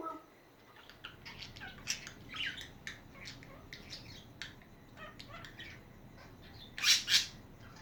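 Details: Budgies chattering: scratchy, high chirps and short squawky bursts in quick, irregular succession, with two louder rasping notes near the end over a low background hum.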